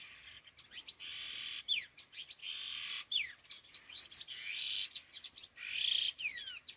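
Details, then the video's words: Paired laughingthrushes (khứu lùn) call in lively exchanges, with harsh churring rasps and clear falling whistled slurs repeating irregularly about forty times a minute. "Âm Thanh Chim Khứu Lùn Đôi Hung Gọi Đằng"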